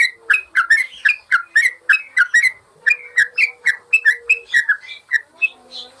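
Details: Master training song of a yellow-vented bulbul for caged birds: long chain of bright, bubbling whistled notes, quick and evenly spaced, with a brief pause midway and softer notes at the close.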